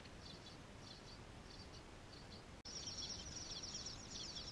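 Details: Bluebirds feeding nestlings: short groups of faint high chirps, then after a brief break a louder, near-continuous run of rapid high twittering to the end, with low rumbling background noise.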